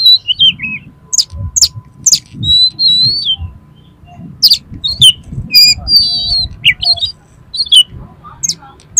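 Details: Fighting, highly aroused oriental magpie-robin singing to provoke rivals: varied high whistled notes, slurred downward glides and scratchy bursts in quick succession, over low murmuring background noise.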